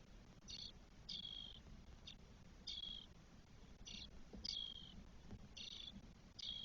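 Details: Spotless starling nestlings, four chicks aged 12 days in a nest in Spain, 1 June 2022: faint, short high chirps repeated roughly every half second to second over a low background rumble.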